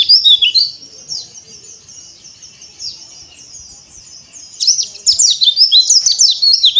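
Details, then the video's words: Oriental white-eye of the dakbal type on a terrace, singing with open beak: soft, thin twittering at first, then a loud burst of fast, high, sweeping chirps in the final seconds. "PLECI DAKBAL BUKA PARUH Di Teras"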